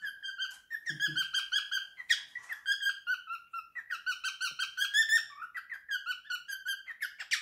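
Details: Three-year-old male pet cockatiel in a small room performing his favourite song, a long continuous stream of rapid warbled whistles and squeaky notes, rising and falling, with a brief low thump near the start.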